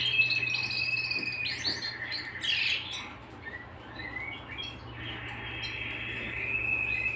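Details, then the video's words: Canary singing at home: a steady high whistled tone, then a burst of loud chattering notes, a quieter pause with short chirps, and a return to a long even whistle. "canary singing at home"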